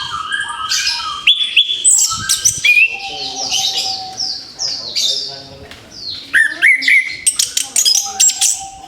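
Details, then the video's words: Orange-headed thrush just after moulting, in a recording used to encourage singing again: busy, rapidly changing whistles and sharp chips, with rising and falling slurs and a sustained steady low whistle in between. "TERAPI ANIS KEMBANG BARU LEPAS BULU, SIAP BUKA PARUH LAGI"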